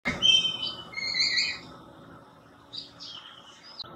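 A Black Kite gives a high, wavering whistled call in two drawn-out phrases, followed by fainter, shorter whistles against a quiet background.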